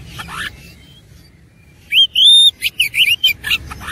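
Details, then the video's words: Combative oriental magpie-robin singing its ornate, mimicry-filled song: after a near-silent opening, a long pure rising whistle leads into quick clipped whistled notes and zigzag phrases. "KACER ISIAN MEWAH NGOTOT GACOR TARUNG"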